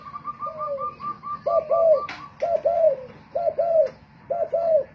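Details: Cooing contest with a decoy Spotted dove: soft low paired coos repeated roughly every second, over a run of higher, evenly spaced piping notes at the start and a sharp knock midway.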